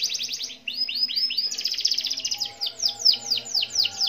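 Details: A canary four months old delivers fast rolling trills of high, repeated sweeping notes, changing tempo partway through the phrase.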